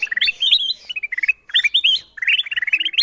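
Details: Lure sound of the kutilang emas bulbul, meant to make wild birds come down searching for the caller: lively bubbling phrases of short upslurred whistles in three quick bursts separated by short pauses.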